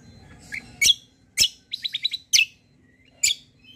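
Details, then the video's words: White-eye lure song used to draw answers from other birds: scattered sharp high chirps with a short run of four quick descending notes in the middle, light background hum. "KECIAL KOMBO BAHAN LANGSUNG NYAUT || PANCINGAN CUCAK KOMBO"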